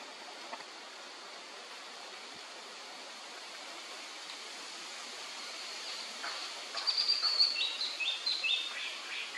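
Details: Steady hiss of forest noise at Khao Phu Phlu ranger station, Phetchaburi, Thailand, on 1 May 2024, then near the end a quick run of sharp, high, clipped notes from a male black-naped monarch, several per second.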